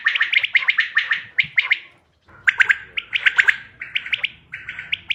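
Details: Quail sounds for hunting, dated 5 June 2025: rapid chattering chirps in quick groups, a short silence, then more chirps and clipped whistles over faint low background noise.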